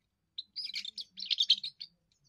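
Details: A young European goldfinch's first song, for defending territory and attracting a mate: a single chirp, then two short bursts of quick, jangling twittering notes.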